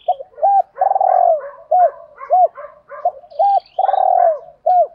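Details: Spotted doves, male and female, cooing to spur training birds: short hooked coos and long pulsing falling coos repeating, overlaid with steady chattering chirps from other birds.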